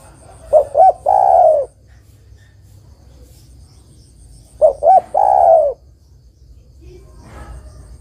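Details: A spotted dove hen calls a male, a sound used as a trapping lure: two calls about four seconds apart, each two staccato coos and a long falling croon, then faint low murmuring.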